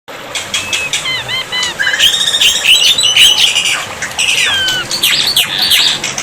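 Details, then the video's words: Black-winged myna in a tutor recording paired with water sounds, meant to prompt silent mynas to answer; a burst of harsh squawks and bright, bending whistles, some sharp and clipped, over a steady rushing water-like hiss. "terapi air dan masteran burung jalak putih, jalak putih macet pasti nyaut"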